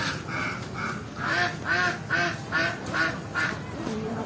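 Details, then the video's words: Many native ducks running in the water call a repeated 'pack pack': loud, nasal quacks about two per second in an even rhythm, eight or so in a row, with faint background noise. "Many beautiful native ducks are running in the water and calling pack pack"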